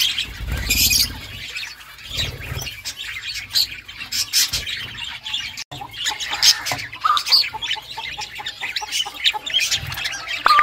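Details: Budgerigars chatter in a busy stream of short, high chirps and warbles, with occasional squawks and wing flutters throughout.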